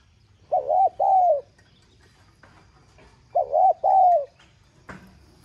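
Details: Spotted dove, 'giọng son' voice style, urging call to make other doves coo: two hollow phrases of short then long falling coos about three seconds apart, followed by a sharp knock.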